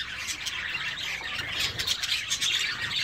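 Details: Zebra finches in an aviary, a dense chorus of short nasal chirps and squawks overlapping steadily, several birds calling at once with no pause.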